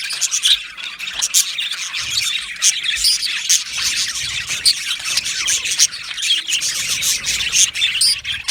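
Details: Australian budgies chirping in an aviary colony: a dense, continuous chorus of overlapping high squawks and chattering tweets from many birds, steady and busy with no pauses.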